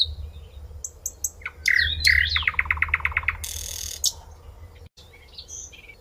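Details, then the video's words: A common nightingale sings a varied phrase of sharp whistles, then a fast run of about ten repeated notes, then a harsh buzzy burst, over a persistent low background hum. "A Nightingale Sings | Bird Song"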